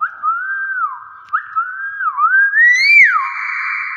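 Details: Nias hill myna in its natural voice, amid talking that imitates greetings: clear, pure whistles that slide up and hold, then fall away, in a series of smooth looping phrases. The last phrase rises higher and ends in a long, steady note.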